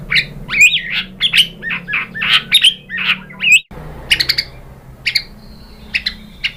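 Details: White-rumped shama song used as a lure to provoke another bird into answering: rich, varied whistled and chattering notes in quick bursts, a brief pause midway, then scattered sharp chips and a sustained high whistle.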